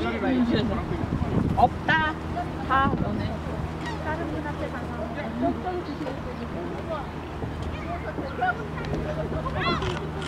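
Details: Seagulls flocking to be fed shrimp snacks at Haengdamdo rest stop, Dangjin, Korea, give harsh nasal cries in short rising bursts over a steady engine drone, with people talking and wind behind.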